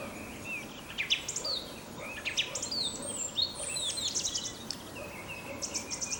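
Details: Song thrush singing in spring in Crimea, perched high in an ash at the edge of old oak forest near Sudak, marking territory; varied high whistled and chirping phrases in quick succession, with faint background noise.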